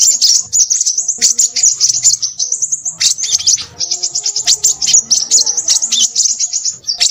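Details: High, thin and hurried chattering from a Crimson sunbird, with rapid repeated chips and sharp sweeping notes, a short break near three seconds, then further busy twitters.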